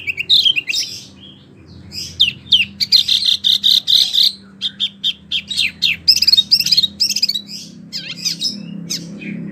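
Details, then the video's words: Wambie mini singing vigorously as a tutor for contest songbirds: a dense, nearly continuous stream of high, rapid chirps and trilled notes with brief gaps. "wambie mini super gacor"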